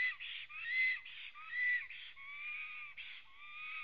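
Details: Black stork arriving at its nest in Latvia on 23 June 2017, 09:23, picked up by a nest webcam: a repeated series of harsh, hissy bursts alternating with thin, slightly rising whistles, about one unit per second.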